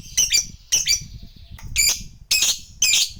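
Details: Lovebird lure for fighter birds: repeated loud, harsh, high squawks in paired bursts about every half second, with low rustling beneath.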